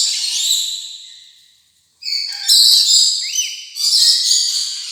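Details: Rainbow lorikeet chatter: a harsh, high rasping call fades out over the first two seconds, a brief silence follows, then loud grating screeches resume in two bursts with a short rising whistle between them.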